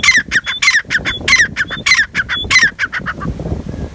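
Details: Rapid, grating call of a black francolin (kala tetar): harsh clustered notes tumbling at a quick pace, mixed with short pure whistles, fading into low rustling near the end.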